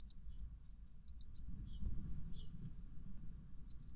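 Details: Great tit nestlings 13 days old in a garden nest box, on the morning of 5 May 2021, giving thin, high, scattered cheeps several times a second over a steady low rumble.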